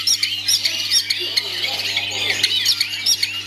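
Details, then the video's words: Long-tailed shrike kept by an owner, performing a busy, scratchy high-pitched song of fast chirps, sharp whistled upslurs and squeaky notes in quick bursts, with a constant low hum beneath. "Aksi Cendet"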